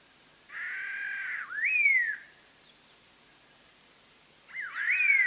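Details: Collared laughingthrush singing, a highland species endemic to Vietnam, as a trapping lure: two loud phrases about four seconds apart, each a buzzy rich note followed by a rising whistle that slides downward, against quiet background.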